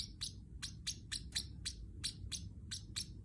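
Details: Pet Pacific parrotlet chirps: evenly spaced, short, piercing high notes roughly three per second with brief gaps, a low steady rumble underneath throughout.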